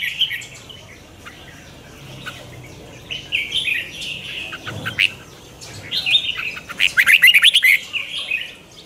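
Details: Red-whiskered bulbul practising morning song as a lure bird, twisted rolling voice: soft warbling at first, building to a loud burst of fast chirping whistles near the end, over a low background hum.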